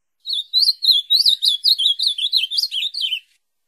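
An Ultramarine Grosbeak sings one rich, rapid warbled phrase of about three seconds, with sweet slurred notes rising and falling, then falling slightly at the end. No other sounds.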